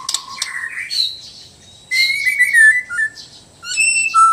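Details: Sabah White-rumped shama of Borneo singing in relaxed and loud styles: a low whistle and chattery notes, then loud sliding whistled phrases and a final bright clear note.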